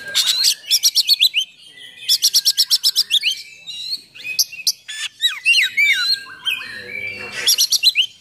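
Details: Oriental magpie-robin firing off rapid song for provoking and training other magpie-robins; two fast trains of about ten stuttered high notes, then varied whistled slurs, falling chirps and a final quick burst.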